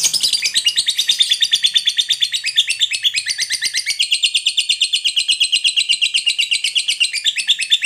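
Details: Lovebird's long ngekek chatter, intended to prompt other birds to sing: a continuous quick series of shrill buzzy notes that drops slightly in pitch midway and keeps going.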